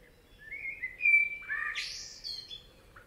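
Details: In a Spanish forest a common blackbird delivers one song phrase: a smooth, level whistle that breaks into a quick rising and falling twitter, with a soft extra note at the close.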